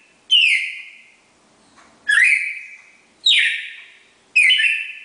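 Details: Classic four-note Bagé song of a red-crested cardinal pair, four loud whistled notes with sharp attacks and falling tails, the second starting low and climbing, over a quiet background.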